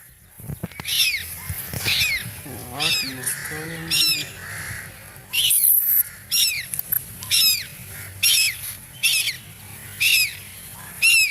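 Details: Baby duck crying out in fear: sharp, high, falling peeps repeated roughly every second, briefly mixed with lower warbling sounds early on, against a low steady background hum.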